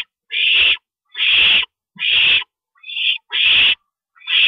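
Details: Owl nest at night as a parent stops over, 2:40 AM on April 22 2012: rasping hisses of about half a second each repeat roughly once a second in a steady run.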